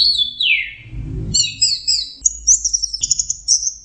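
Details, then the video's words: Orange-headed thrush lure song for stressed birds that have gone quiet: a long descending slurred whistle, then a burst of low rumble, then rapid trilled and warbled high phrases. "pancingan Anis merah setres dan macet bunyi"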